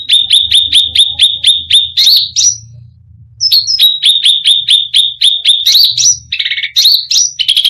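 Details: Cucak rante in full varied song aimed at provoking other birds: evenly spaced sharp ticking notes repeated about four times a second, a brief lull, then more ticks, a rattle and rising whistles, with faint low rumble beneath.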